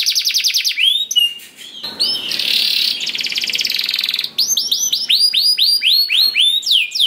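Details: Canary song as a lure for other canaries: rapid repeated notes, then a long buzzy rattling trill, followed by a run of loud looping whistled swoops repeated several times per second.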